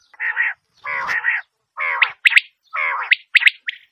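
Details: Batair, the common quail, making mostly low, rasping, harmonic growls in bursts of about half a second. Short sharp high notes are mixed in between them.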